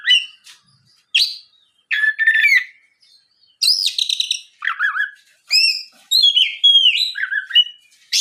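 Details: Oriental magpie-robin lure song played to get other magpie-robins singing; repeated phrases of sharp chips, wavering trills and bright whistles separated by brief silences, loud and clear.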